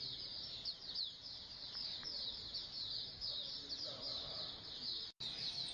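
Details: Colony of Oriental white-eyes, kept to spur other birds into singing more: a dense, continuous wash of thin high twittering from many birds at once, steady throughout, with a brief dropout near the end.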